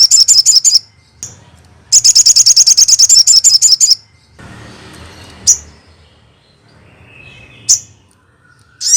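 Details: Crested jay calling, a recording meant to draw an immediate response from other crested jays: two bursts of very fast, high, ringing repeated notes, the second lasting about two seconds, then single sharp high notes separated by quiet gaps.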